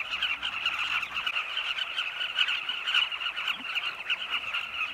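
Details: A large flock of Southern carmine bee-eaters flying at sunset around their cliff nest tunnels in Zambia, hunting insects for chicks, keeps up a dense, continuous chatter of throaty, clipped notes with no pauses.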